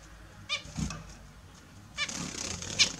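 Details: Australian Zebra finches taking their morning bath give a few short, nasal, toy-trumpet honks, with soft splashing and wing flutters in between.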